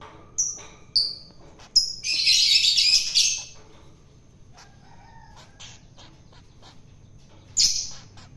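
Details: A wild-caught long-tailed shrike, fed by hand to tame it, gives three short sharp squeaky notes, then a drawn-out harsh rasping squawk over a second long, and a final scratchy note after a quiet stretch.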